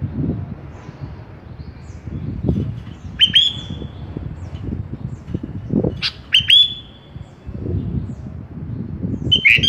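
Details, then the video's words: Kutilang (sooty-headed bulbul) in a masteran recording meant for training cage birds: three short, sharp whistled notes, each opening with a click-like attack and then sliding down briefly, over steady low rumbling noise. "Suara Merdu Kutilang"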